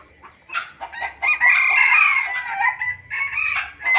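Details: Junglefowl calling in an Indonesian lure recording: a short burst, then a long, loud, harsh, crowing phrase with a sliding whistled overtone that breaks into choppy notes.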